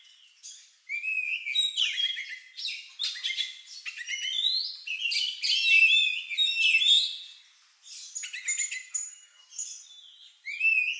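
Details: Unusual lovebird-like song of an Oriental magpie-robin, used to coax other birds into singing: rich, fast-changing whistled phrases, sharp chirps and rattling trills in a near-continuous stream, broken by short gaps after the first second and near eight seconds.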